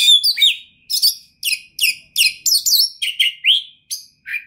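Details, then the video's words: Kacer, the Oriental magpie-robin, singing a champion-style 'full materi' sequence: quick bright phrases of high slurred whistles and chirps repeated about twice a second, clean and free of background noise. "OCEHAN KACER TOP, GACOR DORRR ll JUARA FULL MATERI MEWAH 2021 !!!"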